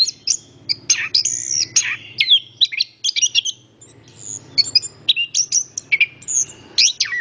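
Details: Energetic anis kembang (orange-headed thrush) song, a fast mix of piercing whistles, buzzy strokes and falling slurs, with a short pause mid-way and a low constant hum in the background.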